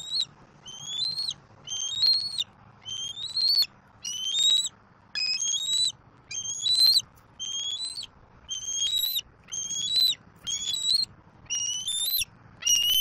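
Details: On a Southwest Florida nest in April 2024, a young bald eagle squees without pause while claiming prey dropped off by its father. A long run of about a dozen sharp, high whistled squeals, evenly repeated near once a second.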